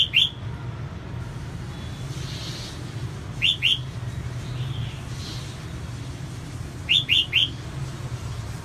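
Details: Hen red-whiskered bulbul calling to excite male birds, giving short clusters of two or three sharp, bright chirps spaced several seconds apart, with a constant low background rumble.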